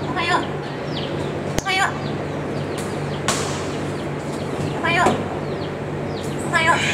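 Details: A yellow-crowned amazon at Kusatsu Nettaiken zoo repeatedly greets visitors with "ohayou" (good morning): four short, harsh, speech-like calls spaced a second or more apart, over a steady hum and a sharp click.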